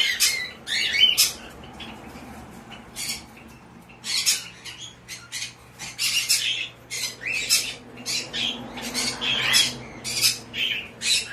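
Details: Hand-tame white-bellied parrot chick, kept indoors, giving a series of short harsh broadband squawks in irregular bursts, some paired, with quiet gaps and a faint low hum behind.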